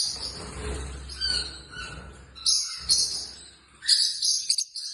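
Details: Pet Pacific parrotlet (Forpus), the second smallest parrot, giving sharp, high chirps in short bursts, with a quick double burst near the end; faint room hum underneath.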